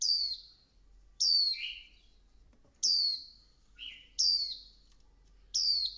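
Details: Female Swinhoe's white-eye stimulating the male, giving clear high whistled notes, each a sharp descending slur, in short bursts about every one and a half seconds, with one lower warbled phrase between; otherwise quiet background.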